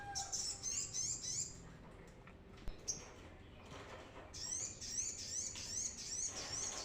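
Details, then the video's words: Brown-throated sunbird singing vigorously, a recording meant as a lure for training captive birds: rapid bursts of very high, thin twittering notes at the start and again in the last seconds, with a quieter gap between. "suara ASLI Kolibri kelapa gacor || sangat cocok untuk pancingan Kolibri kelapa bahan"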